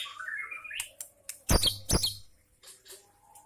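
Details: White-rumped shama, known locally as murai batu, singing with mimicked lovebird and prinia phrases: a rising whistled glide, then sharp loud chips and softer scattered notes in a small room.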